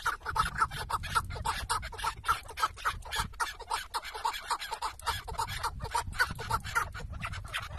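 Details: In Şırnak, Turkey, a chukar partridge tied out as a hunting decoy repeats loud, hoarse cackling notes in bursts, steady and insistent, with occasional soft low thumps beneath.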